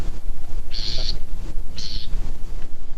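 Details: Bewick's wren on the Point Sal Trail near Orcutt, California, on a foggy outing around late June 2020, seen briefly: two short, harsh buzzes about a second apart, high and raspy, over a steady low rumble.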